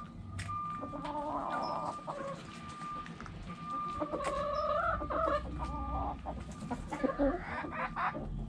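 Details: Backyard hens clucking: steady held tones and drawn-out harmonic calls, then a burst of quick, rising clucks toward the end, with light background rustling.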